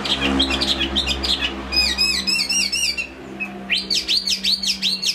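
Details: Chinese hwamei singing well, a bird from Hai Phong: varied warbled phrases, a quick run of high twittered notes, then loud arched whistles repeated about twice per second.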